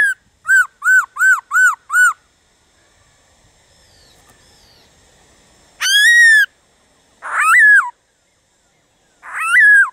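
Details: Black-throated laughingthrush song intended to stimulate other birds: five quick arched whistles in a row, a quiet gap, then three separate long whistled notes with wavering, falling tails.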